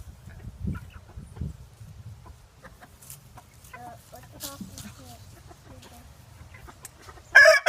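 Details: Rooster crowing loudly outdoors: a sudden, harsh, strained burst at the very end, preceded by quiet scattered clucks and faint background voices over a low rumble.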